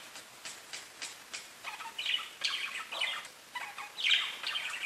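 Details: Caged pet budgies give soft, rapid chattering chirps, quiet at first and building into denser scratchy warbles, with a faint background hiss.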